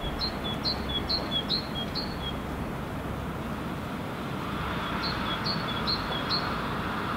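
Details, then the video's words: Great tit, Helsinki, Finland, February 2016, not visible, singing its two-syllable song: a run of five high, even two-note units, a pause of several seconds, then four more, over steady urban traffic rumble. "Great Tit song of two syllables"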